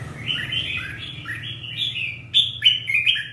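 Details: Red-whiskered bulbul ('ché' type, 'căng lửa' condition) singing quick, bubbling whistled notes, about three per second, ending in louder, sharper phrases.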